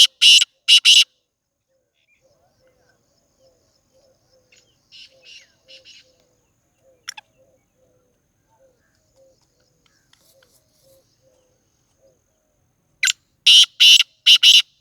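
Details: Black francolin calling in Sindh, Pakistan: bursts of harsh, grating, high-pitched notes open and close the recording. Between them is a long quiet stretch with only faint soft notes.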